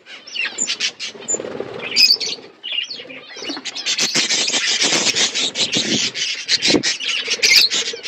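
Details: Budgerigars in a flock at winter feed in Asia, giving a thick wall of bright chirping and chattering, with sharp clicks and short whistled notes breaking through, louder in the second half.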